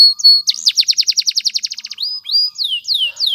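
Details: Canary training song: a sustained whistle, then a rapid run of trilled notes lasting over a second, followed by rising whistles and long falling slurs.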